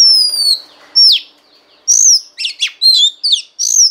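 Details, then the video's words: Female Oriental magpie-robin singing to stimulate a male, a training recording: clear whistled notes near the top of the range, long gliding descending whistles, then a quick series of short sharp slurred phrases with brief pauses between them. "Choè than mái kích trống hay nhất"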